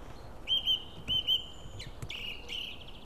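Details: White-tailed sea eagle at an Estonian nest during feeding, 16 April 2016: clear high piping whistles, twice given as paired level notes, then a longer, rougher drawn-out note, over a steady low background rumble.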